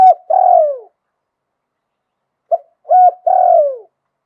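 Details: Spotted dove from Thailand delivering its 'liu tan' style song: mellow low coos in phrases of a short lead note, a rolling double coo and a long descending coo, two phrases with a quiet gap between.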